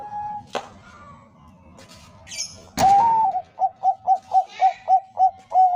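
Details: Bangkok-type zebra dove song played as a lure to set other doves singing. After a stretch of scrapes, knocks and rustling, a rising coo leads into a fast run of about nine short, even cooing notes.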